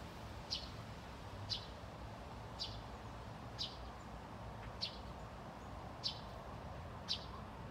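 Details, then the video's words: A pair of Eurasian tree sparrows giving contact calls in bushes at Haga, late August; seven clipped high chirps at roughly one-second intervals over a low, continuous vehicle drone. "Pilfinkar lockar"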